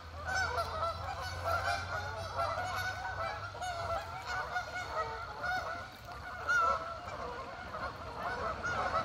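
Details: Dozens of geese gather and call together, a thick wall of overlapping nasal honks rising and falling without pause, one louder honk standing out near the end, low background rumble throughout.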